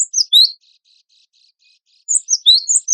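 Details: Cinereous tit of the wingko variety singing as tutor material for songbird competitions: a few piercing upslurred chirps, a quiet stretch with faint soft notes, then another short quick burst of high chirps.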